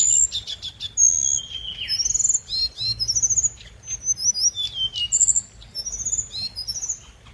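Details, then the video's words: Scarlet minivet lure song: a fast run of high, thin whistled notes and short rising and falling slurs, with bright chattering phrases tumbling one after another over a quiet background. "Hồng hạnh mồi | Tiếng chim hồng hạnh mồi chuẩn | hồng hạnh hót"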